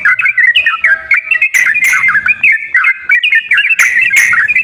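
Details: Sooty-headed bulbul singing, used as a prompt for a bird that sings little: chortling whistled phrases of bouncing notes, with several loud harsh bursts and a faint low hum beneath.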